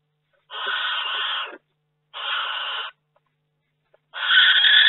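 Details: Nest-box barn owl in May, second egg hatched and two still to go: three flat, breathy hissing screeches of about one second each, separated by short silences, the last one louder.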